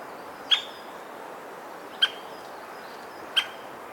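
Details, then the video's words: Hokkaido White-backed woodpecker giving its call note, recorded with a Nikon COOLPIX P950: three abrupt, sharp single notes spaced over a second apart, with a quiet background hiss. "オオアカゲラ（キツツキ）の鳴き声2種（地鳴き）とドラミング / White-backed Woodpecker Call and Drumming"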